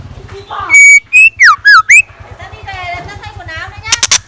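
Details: Morning song of a scarlet minivet kept as a decoy. Five loud, pure whistled notes in quick succession, some rising and some dipping in a wavy curve, then softer background chatter and a few sharp clicks.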